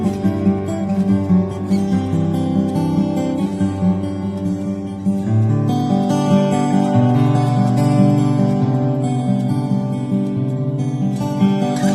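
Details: Only strummed acoustic guitar music is heard, with no finch song or other animal sound.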